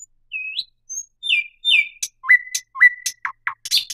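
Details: Thrush nightingale phrase opens with slow rising and falling whistles, then sharp upswept notes joined to flat sustained whistles, ending in short emphatic chirps.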